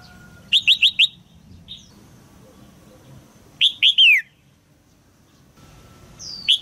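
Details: Female red-whiskered bulbul calls from a cage to draw song from a young male. A rapid run of four clipped chirps comes first, then three louder falling chirps, then a final single note.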